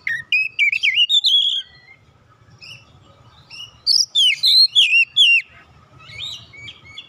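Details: Oriental magpie-robin, called kacer, singing in response to a lure: loud looping whistled phrases rising and falling, a short rapid series of ringing notes, then softer twittering, over a faint low hum.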